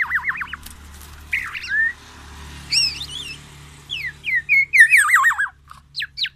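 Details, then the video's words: Caged black-naped oriole from Aceh, Sumatra, singing in full voice with mimicked white-rumped shama phrases: looping wavy whistles, then sharp chirps, rising and falling slurred notes and bursts of quick warbled trills. "Kepodang emas gacor,bongkar isian murai batu"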